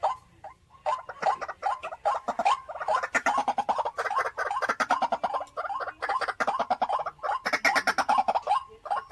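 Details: White-breasted waterhen held as a caged decoy keeps up a rapid stream of harsh croaks, many notes per second in dense runs with a few brief pauses.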